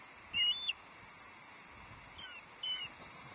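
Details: Osprey at Loch Arkaig Nest Two on 11 July 2023, calling as a second fish, a headless trout, arrives for a late lunch: three short bursts of high, thin, whistled chirps, each stacked and slightly rising, over faint background hiss.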